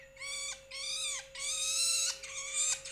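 A young Long-tailed Shrike gives harsh, nasal rasping notes, each about half a second, repeated in quick succession, over a steady faint electrical hum.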